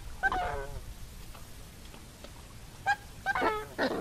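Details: Coscoroba swan, Coscoroba coscoroba, giving short nasal honking calls: one near the start, then a cluster of three around the end, with a quiet gap between and low background rumble.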